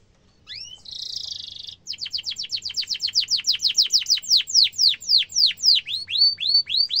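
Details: Canary in lively song, a master recording for young canaries to copy: a brief rising pair of whistles, then a dense buzzy trill, then a long run of rapid downward-sweeping notes that slow gradually into separate slurred whistles.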